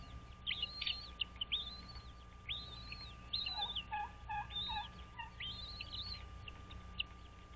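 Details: American bald eagles at their nest on Dale Hollow Lake, a reservoir on the Kentucky-Tennessee state line, caught by a nest camera at 06:05 on 06.03.2023: high, arched whistled notes in quick bursts over lower chattering notes, with a steady electrical hum.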